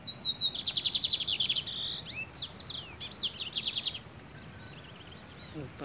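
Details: Lined Seedeater, loose and uncaged, perched on a person's head, sings a steady buzzy trill of repeated notes. Sharp sweeping phrases follow, then the song fades into quiet rustling.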